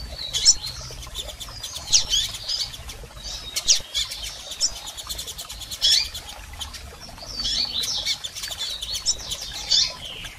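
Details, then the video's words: Double-collared seedeaters, female and male calls used to stimulate a male: high, thin chirps in short bursts of a few notes, clustered about every two seconds, with rapid fluttering wingbeats throughout. "PIADOS de Coleiros Fêmeas e Machos Para Foguear Seu Coleiro!!!"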